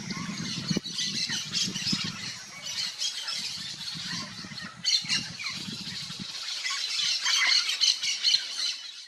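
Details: Yellow-faced parrot (Alipiopsitta xanthops) calling in the wild in Brazil's Cerrado: rapid rough squawking chatter repeated about four times per second, with low rumbling wind or handling noise in the first half and a sharp click early on.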